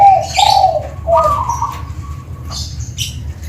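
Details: Perkutut (zebra dove) from Tuban, praised for a clear 'crystal' voice, gives low mellow cooing phrases in the first second, followed by a sustained steady tone, while sharp high chirps from other birds break in.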